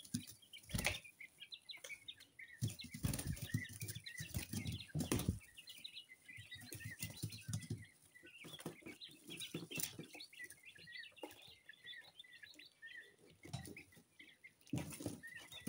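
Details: Two-week-old coturnix quail chicks of mixed colours, hand-hatched and kept together: many thin, high peeps repeated continuously in overlapping bursts, with dull thumps and scuffling noises between them.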